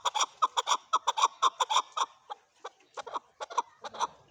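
A male chukar gives a rapid run of harsh, clucking chuk notes, about four to five per second, slowing and softening toward the end.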